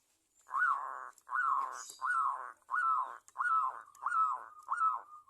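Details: Local zebra dove singing, used as a lure to make other doves call: seven mellow, hollow cooing notes, each rising then falling, evenly spaced about every three quarters of a second.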